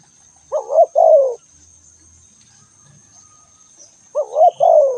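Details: Two mellow coo phrases from a calling spotted dove, one near the start and one near the end, each a quick up-and-down note then a drawn-out falling coo. Quiet between, with a faint thin high hum.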